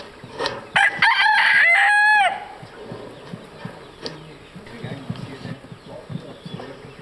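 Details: White-crested Polish chickens, black and blue-laced, at Madiswil on 3 June 2012: one loud, harmonic crow lasting about a second and a half, followed by soft low clucking and murmuring from the flock.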